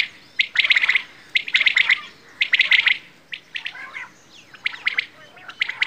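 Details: Quail, called bedana or batair, uttering loud clusters of rapid chirps, each burst lasting about half a second and repeated roughly every second, with softer scratchy notes between.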